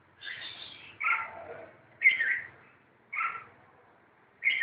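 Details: During a fight, red-whiskered bulbuls utter abrupt harsh calls roughly once a second, each a short slurred, scratchy burst, the loudest near two seconds.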